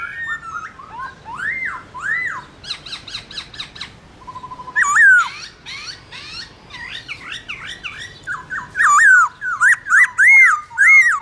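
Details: Caged black-throated laughingthrush singing in the morning, kept for training to sing wild-style competitive song; loud varied whistled phrases, arched and looping notes around mid pitch, mixed with harsher chattering bursts and a quick rattled series.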